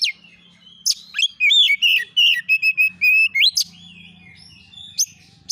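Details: Oriental magpie-robin song as a lure for replies: a lively sequence of loud whistled and warbled notes, some sharply rising, grouped in quick runs, with a soft low drone underneath and a short quiet end.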